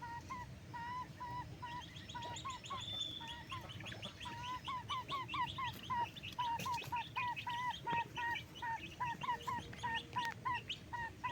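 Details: Backyard chickens at daytime feeding keep up a busy stream of short, bent, nasal calls, many birds overlapping at a similar pitch with a few higher squeaks, over faint low background hum.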